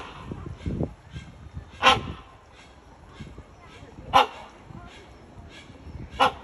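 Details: A captive great hornbill (Buceros bicornis) in its enclosure at the San Francisco Zoo gives three loud, harsh, honking barks about two seconds apart over a low background rumble.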